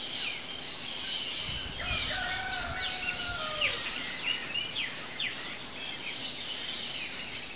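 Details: Chopi blackbird singing at a feeder: long, level whistled notes, some gliding gently downward, mixed with short sharp upswept chirps higher up, against a steady hissing background.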